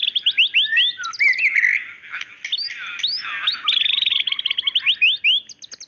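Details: Female white-rumped shama calling to the male: quick rising chirped notes in series, a buzzy blurred middle section, then further rapid upswept whistles and short low chips.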